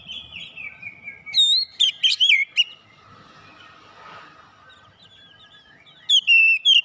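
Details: Oriental magpie-robin of fighter character singing: a sliding whistled note over faint rustling, then a cluster of loud sharp whistled notes, a quiet pause of several seconds, and a final burst of bright looping whistles.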